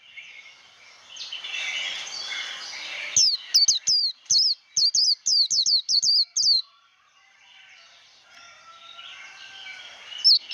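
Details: Japanese white-eye singing 'líu đấu' fighting song for voice training of a newly caught bird: a few seconds of soft hiss and twitter, then a burst of about a dozen rapid high whistles, then quieter background chatter.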